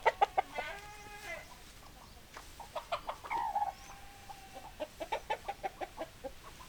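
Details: Hens clucking: rapid runs of short, sharp clucks, then a drawn-out, rising-and-falling squawk in the middle, followed by another evenly spaced series of clucks.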